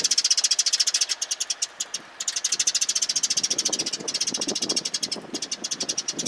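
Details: A flock of sparrows arriving to be fed, 27 March 2022: continuous rapid, high-pitched chirping, several notes per second, barely pausing, with soft lower rustling and scuffing sounds underneath.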